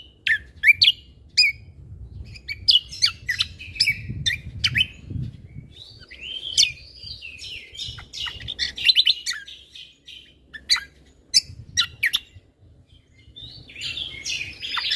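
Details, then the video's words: Lesser green leafbird singing actively as training audio for cage birds, shot-like fill style: long varied sequence of sharp chirps, trills and whistles with brief pauses and faint low background noise. "Cucak Kombo Gacor Mentalan Pas Untuk Masteran Burung Isian Tembakan"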